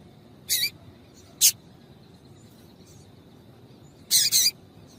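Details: Female Double-collared Seedeater call for prompting male song: three short high chirps, the last a rapid doubled note, spaced irregularly over faint hiss.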